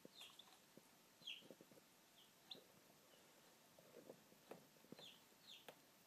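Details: Hatching chicks giving short, high, thin peeps, each slightly falling in pitch, scattered irregularly through the recording, with faint soft taps and clicks underneath in a quiet setting.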